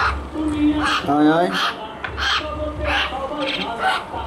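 A myna gives a run of harsh, croaking and gurgling notes mixed with nasal, almost voice-like phrases, over a steady low hum.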